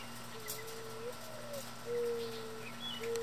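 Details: Mourning doves in a backyard, pecking loose seed from the ground beneath feeders, some chasing each other; low, soft drawn-out coos, several long steady notes in a row, with faint high chirps of small birds and a constant low hum behind.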